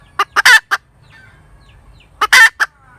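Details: Two crisp cackle phrases from a hen, each a couple of quick clucks leading to one long, loud rasping note, separated by near silence.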